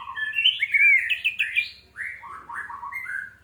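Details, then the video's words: Orange-headed thrush song played as a lure to trigger singing: a rich, varied run of slurred whistled phrases, first high then dropping lower, delivered continuously with quick changes in pitch. "AMPUH UNTUK PANCINGAN ANIS MERAH MEMICU CEPAT BUNYI DAN GACOR!"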